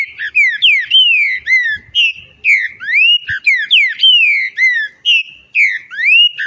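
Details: Green-winged saltator singing continuously, rapid runs of loud whistled notes alternately rising and falling, each note under half a second, with barely any pause between phrases.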